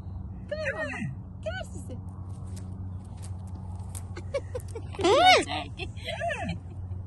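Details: Young umbrella cockatoo at a park gives a few short, nasal, rising-and-falling squawks, then one louder arching screech. A steady traffic rumble and a brief human voice sit underneath.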